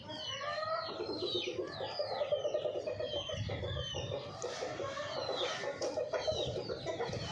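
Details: Domestic hens kept at a small home farm or mini zoo: a dense chorus of many high, falling chirps over low, soft clucking, continuous and overlapping throughout.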